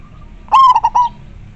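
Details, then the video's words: A single phrase from a local majapahit-type zebra dove, clear and active: a strong sustained coo followed by three short clipped notes, over a faint low background hum. "Perkutut lokal gacor sangat jernih majapahit suara nya bikin adem"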